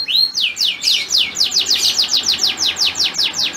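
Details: Male canary's mating song aimed at a female in breeding condition, opening with a rising whistle, then a steady series of bright down-slurred notes, roughly four each second, all high-pitched.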